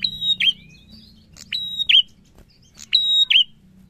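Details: Prinia in lively song, giving three quick phrases of a clipped note, a steady piercing whistle and a dipping flourish, roughly every 1.4 seconds over a soft low drone.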